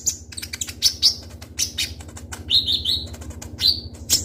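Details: Lively song of a kolibri ninja sunbird used as a lure: dense, sharp high chirps and quick trilled whistles in close bursts, a few brief wing flutters, and a low background hum.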